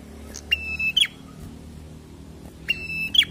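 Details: Two drawn-out level whistles from a prinia in 'gacor fighter' style, each ending in a quick twisting upstroke, about two seconds apart, over a quiet low hum.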